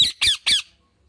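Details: Parrot uttering three rapid, raucous squawks, each short and grating, followed by silence.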